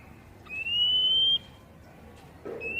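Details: Oriental magpie-robin (kacer) of the poci type, a tutor recording played so that untamed captive birds answer and sing: a long, pure whistled note slowly rising for about a second, then another whistle beginning, over quiet background hiss.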